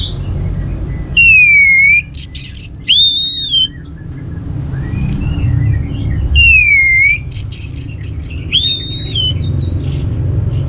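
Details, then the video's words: Orange-headed thrush song played to coax other birds into song: the same phrase twice, a pure drawn-out whistle followed by high squeaky notes and a curving whistle, with quieter twittering between phrases. "ANIS MERAH Cor Suara Penggoda Membuat Burung Kenceng Jadi Ngeplong Lanjut Teler"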